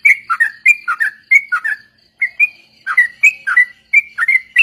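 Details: Rapid chattering song of yellow-vented bulbuls, played to train other birds, in a group-chorus style: clusters of liquid whistled notes, a brief gap at two seconds, then more rising and falling phrases.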